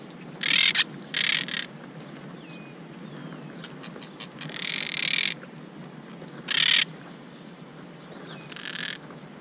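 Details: Monk parakeets, upset by a camera placed at their nest, fussing repeatedly; a series of harsh raspy squawks in bursts, some short and paired, one drawn out, with faint chirps between.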